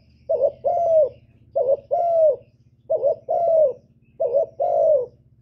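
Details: Spotted dove calling and urging: four evenly spaced two-note phrases, a clipped rising hoot then a longer descending coo, repeated about every second over a steady low mechanical hum.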